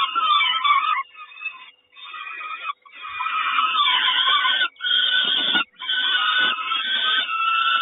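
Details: Peregrine falcon nest in Kawęczyn, 3 June 2022, the mother bringing breakfast: dense, strident rasping calls almost without a break, cut by short silences near seconds 2.8, 4.7 and 5.6.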